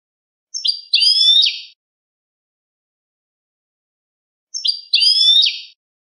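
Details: European goldfinch performing cante limpio, clean song intended for teaching captive birds: two separate twittering phrases of liquid, buzzy, rising and falling notes, each about a second long, four seconds apart, with silence between.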